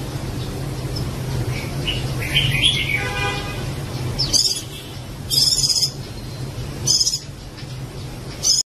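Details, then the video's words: A white-eye (pleci) gives short, high twittering chirps and a few sharp bursts in scattered phrases, over a steady low engine-like hum. "SUARA BURUNG PLECI"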